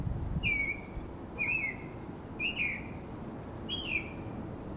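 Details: Northern mockingbird singing in a neighborhood, captured with a camera and telephoto lens braced on a car: a phrase of bright downward-slurred whistles given four times at roughly one-second intervals over soft background hiss.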